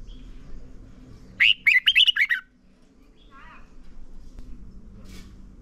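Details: A red-whiskered bulbul, recorded as a lure for training caged birds, sings one brief phrase of rapid slurred whistles; quieter faint chirps and background murmur follow.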